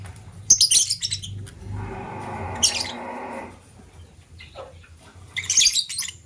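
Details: A green lovebird chirping in the morning while a blue lovebird scrambles for vegetables: shrill grating chirps at the start, a rustling, scraping noise midway, then another burst of harsh squeaky chirps at the end.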